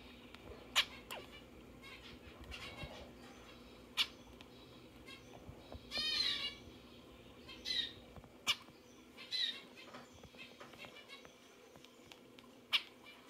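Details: A cheeky female pet zebra finch trying to bathe on a tablet gives a few short, nasal, toy-trumpet calls between sharp tapping sounds.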